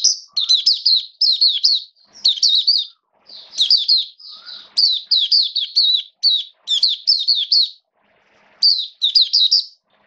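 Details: Oriental white-eye (Mata Puteh), a caged hobby bird dated 29 September 2022, singing freely: rapid runs of high twittering, slurred notes in bursts of about a second, separated by short pauses, with a faint low chip now and then.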